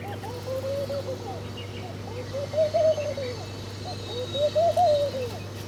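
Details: A bird among several eating their breakfast gives soft, low, wavering cooing phrases, three rising-and-falling bursts about every two seconds, with a steady low hum behind.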